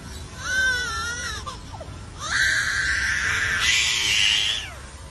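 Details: A lyrebird at Taronga Zoo mimics a crying baby: a short wavering wail, then a longer, louder sustained cry with a bending pitch, sounding convincingly human.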